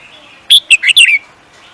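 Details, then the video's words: Songbird singing for a singing competition: one brief high phrase of about five sharp, chirpy notes with a downward-sliding ending, over a quiet background. "The Beautiful Bird singing"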